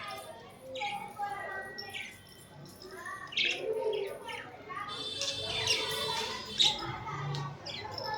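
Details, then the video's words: Budgerigars cuddling and fighting: a dense, continuous chatter of buzzy, scratchy chirps and short warbled notes, rising in bursts toward the end, with faint human voices underneath. "Budgie chripping"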